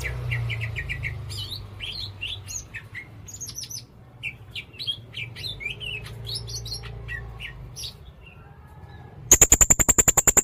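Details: Blue-crowned hanging parrot, red-necked form, in very active song: rapid series of high, thin, slurred chirps repeated about three times a second, ending in a burst of fast sharp clicking.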